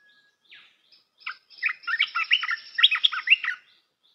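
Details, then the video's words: Red-whiskered bulbul song for teaching young birds: soft opening notes, then an extended, lively stream of bubbling, whistled phrases delivered rapidly, varied in pitch, lasting about two seconds. "เสียงนกกรงตาแดงEp.168 เสียงหัดนกลูกเสอ เพลงเพราะ น่าฟัง"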